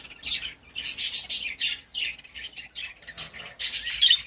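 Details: Pet budgerigars chattering in quick scratchy warbles and squawky chirps, delivered in uneven bursts with short pauses between.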